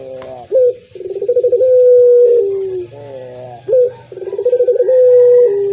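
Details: Pelung coo from a puter collared dove: a brief rising note and a run of pulses lead into a prolonged level tone that falls away. The pattern comes twice, with quivering overtone-rich sounds in between.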